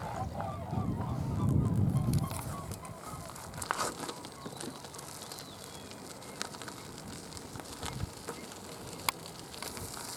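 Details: Mute swans flying over a lake on 10 April 2022, making their characteristic wing noise: low, throbbing wingbeats pulse about three to four times a second, strongest at first, then fading under crackling background noise.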